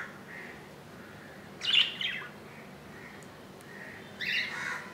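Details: Newly hatched budgerigar chick in its nest on its second day, hatched 15 July 2018 at 2 AM; soft, faint peeping notes repeat at intervals, broken by two louder scratchy rustling bursts.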